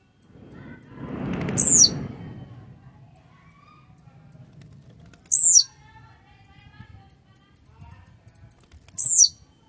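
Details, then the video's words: A blue-black grassquit, called grumpy and fired up, repeats a brief, shrill, downward-sweeping buzz roughly every four seconds, three times; a low rumbling noise swells early on and faint ticks follow. "esquenta seu tiziu🔥tiziu rabugento 🎶"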